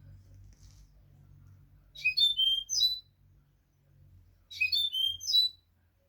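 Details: European goldfinch singing the learned note used to teach young goldfinches: two identical bright phrases of quick high whistled and buzzy notes, stepping down then rising, about two seconds apart, over a faint low hum.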